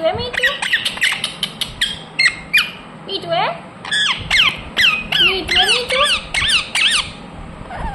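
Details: Kept ringneck parrot in a busy bout of rapid, grating squawks, about two or three a second, mixed with lower, wavering gliding notes that sound almost like chatter.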